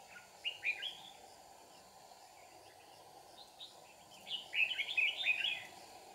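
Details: Decoy red-whiskered bulbul sings combatively during a trapping session at Kim Bôi in Hòa Bình province, Vietnam. A short chirpy warble opens, a pause follows, then a louder rich burst of tumbling whistled notes over a low constant hum.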